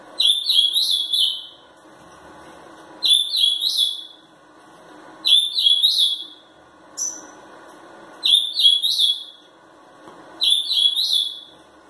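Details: Angry caged ultramarine grosbeak, a three-year-old 'fibra' singer from Pelotas, Rio Grande do Sul, Brazil, repeating near-identical short warbled phrases about every two to three seconds, with one clipped note between, in a quiet room.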